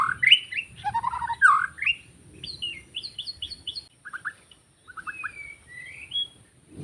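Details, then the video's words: White-rumped shama in forest, recorded for bird trapping: loud rich whistles, then a series of short high paired notes, a short pause, low clipped notes and long thin whistles. "Rekaman suara asli murai batu hutan ketika sedang mikat"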